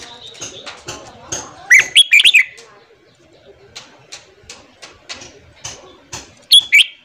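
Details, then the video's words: Bulbul training recording of red-whiskered bulbul morning song for newly caught birds: a loud burst of twisting, fluty whistled notes, scattered soft clicks and chips, then a short bright phrase at the end. "luyện giọng chào mào hót sáng kích lửa cho chào mào bổi"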